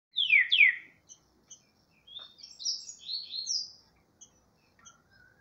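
A great thrush opens with two loud, sharply falling notes, then a high, rapid warbled phrase trailing off into scattered thin chips.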